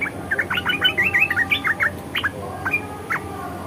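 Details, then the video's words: ["Red-eyed bulbul singing in 'ngeriwik' and 'ngebren' style, opening with a dense, rapid chatter of bright slurred chirps, then thinning to a few spaced notes, with a steady background hum."] "SUARA KICAUWAN BURUNG MERBAH MATA MERAH NGERIWIK DAN NGEBREN"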